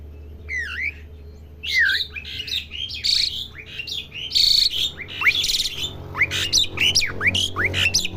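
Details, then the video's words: Juvenile Asian pied starling practising song: loud mixed phrases of sliding whistles, rising squeaks and harsh grating notes delivered almost continuously, with a low background rumble. "jalak suren belajar bunyi"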